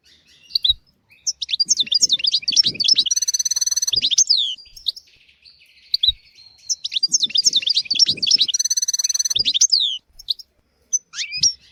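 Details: Tutor song of a European goldfinch for teaching young goldfinches and canaries, two bursts of lively twittering phrases mixing sharp chirps, liquid notes and a buzzy rattle, separated by a short pause, with occasional low knocks.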